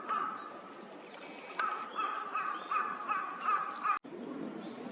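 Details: Gadwall in a park pond in Chiba, Japan, a wintering visitor, filmed in November: a run of low, nasal, burping calls repeated about every half second over a steady background hum, with a sharp click near the end.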